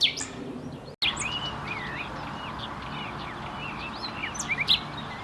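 Common nightingale singing a rich, varied phrase of quick whistled slurs and chirps, rising and falling, with loud sharp notes near the end over steady background noise.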